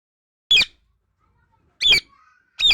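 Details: Talking parrot giving three short, harsh, broadband squawk-like bursts, each under a quarter second, separated by about a second of silence.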